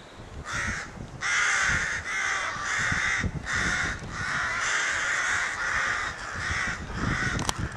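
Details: Crows at a rookery in May 2018 giving excited calls around their nest: harsh, hoarse caws overlapping in a near-continuous chorus from several birds, with brief pauses between bursts and faint low rumble beneath.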